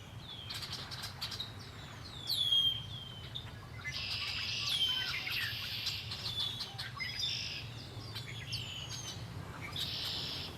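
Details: Several birds singing by Lake Erie. Sharp, down-slurred high chirps come in quick series, alternating with longer buzzy trills, and a louder bird passes briefly near the start. A low steady background hum is heard.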